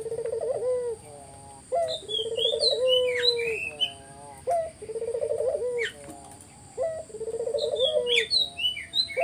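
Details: Spotted dove song meant to make other doves reply: four rounds of a short rising coo followed by a quick throbbing roll and a long falling tone, with scattered high chirps from other birds in between.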